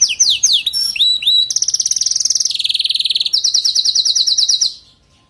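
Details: Canary singing, used to stir weak-singing canaries: short rising whistles give way to a fast, even rattling trill, then a higher, quicker trill that stops abruptly into silence.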